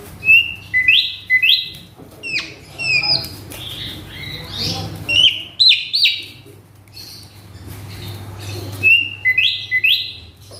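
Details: Excited caged male Asian pied starling repeating a phrase of rising whistles at the start and end, with scratchy, squeaky mimicked notes in between. A faint low hum lies beneath.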